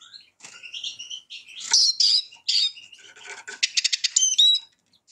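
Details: Eurasian siskin giving a looser, uneven phrase: harsh drawn-out notes at first, then louder squeaky chirps, ending in a quick burst of sharp ticking notes and a thin whistle.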